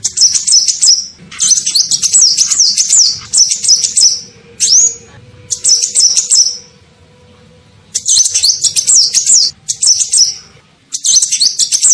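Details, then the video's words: Sunbird (kolibri ninja) lure call used to attract birds: bursts of high, rapid, twittering chirps with short slurred notes, each burst lasting about one to two seconds and separated by brief pauses. "SUARA PIKAT KOLIBRI NINJA"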